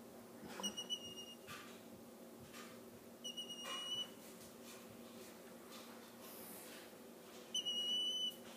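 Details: Young, abandoned, fostered Mississippi kites in Oklahoma being hand-fed and hungry give thin, high whistled begging calls in three short bursts a few seconds apart, over a quiet indoor hum.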